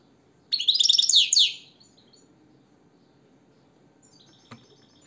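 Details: Short loud phrase of fast, liquid twittering from a European goldfinch lasting about one second, bright high-pitched chattering notes, followed by quiet with faint distant chirps and a soft click.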